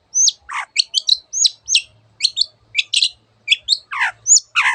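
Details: Long-tailed shrike giving a lively song full of imitations: high whistled downslurs and chirps mixed with lower, harsher grating notes that sweep downward, delivered in quick bursts with short pauses and a faint low hum behind.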